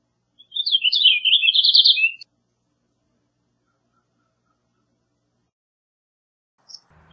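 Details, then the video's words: A single Purple Finch song: a bright warble that speeds into a rapid trilled flourish and ends on a brief lower note, followed by long silence. "Purple Finch Song! Purple Finch Call! Purple Finch! -Camachuelo Purpúreo Canto-"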